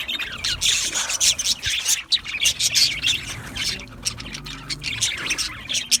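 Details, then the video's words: Budgerigar flock in an aviary giving busy, harsh chirps and squawks in quick uneven bursts, a few clear whistled notes standing out. "Budgie chirping sound | Budgie parakeet singing | Budgie aviary sound"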